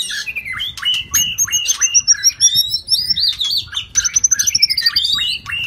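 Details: White-rumped shama, shrimp-tail form, in 'rít thuốc lào' song: fast, rich phrases of high ringing whistles and chattering notes, with a trilled sequence of quick descending pips repeated twice.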